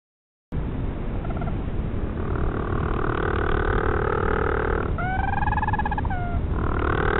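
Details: Little blue penguins, noisy and hanging out near a northern royal albatross nest at Pukekura/Taiaroa Head near Dunedin, New Zealand, in 2016. Harsh, droning harmonic braying builds over steady rumbling, with rising, wavering calls in the middle.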